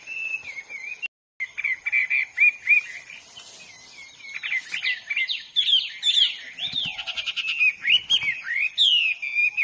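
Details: Hwamei singing in the wild, a long, rich outpouring of whistled notes, upslurs and downslurs, and quick repeated phrases that grow busier toward the end, with a steady faint high tone in the background.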